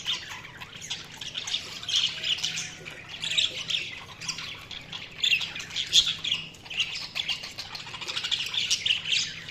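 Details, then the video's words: Ongoing budgerigar chatter of raspy squawks and quick high chirps, several birds overlapping in a constant, gently pulsing warble with no pauses. "Budgies Chirping sound"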